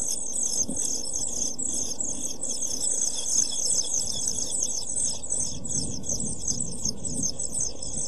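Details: European pied flycatcher chicks, seven days old, begging inside a nest box on 23 June 2012; continuous dense chorus of high, thin, rapidly repeated cheeps throughout, with low background rumble.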